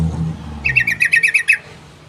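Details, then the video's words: Yellow-vented bulbul calling in one rapid burst of about seven sharp, evenly repeated chirps lasting under a second, set against a faint, continuous low hum. "SUARA PANGGILAN TRUCUK"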